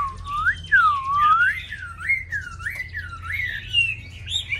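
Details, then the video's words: Hwamei, a tame cage bird in Vietnam, delivering rich, full whistles that sweep deeply down and up in wavy loops, one after another, with a faint hum behind. "Mi thuần cb86879 đẹp mau mỏ hót tốt"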